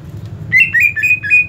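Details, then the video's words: Aggressive fighting call of a greater green leafbird for training a bird's fighting mentality: a short run of five loud, slurred, harsh whistled notes, each dipping then rising, over faint low hum. "Mental tarung cucak ijo anda akan terlatih dengan video cucak ijo fighter ini"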